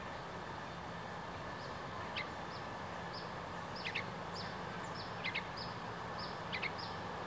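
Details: A young yellow-vented bulbul keeps calling loudly while being approached, giving scattered sharp chirps in ones and quick pairs over several seconds against constant low background noise.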